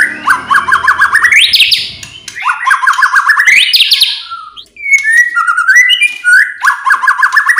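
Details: White-rumped shama song used to provoke other birds: repeated bursts of fast rising warbled notes ending in upward sweeps, with crisp high clicks and short pauses between bursts.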